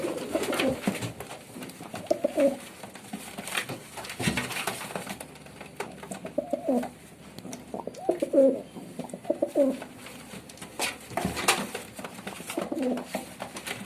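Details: Pigeon making short, low cooing phrases at intervals, mixed with frequent clicks, knocks and rustling noises.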